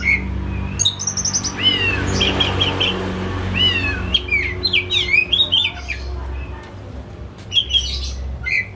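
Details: Home-kept pet white-rumped shama singing as a lure for a reluctant shama: fast run of rapid whistled notes and twisting slurs, some dry rattles and clicks, low mechanical hum throughout.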